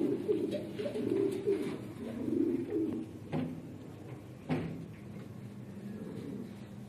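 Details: Domesticated red Lahore Siraji fancy pigeons coo in low, rolling, throaty phrases for about three seconds. Sharp knocks and clicks follow, then fainter murmuring coos.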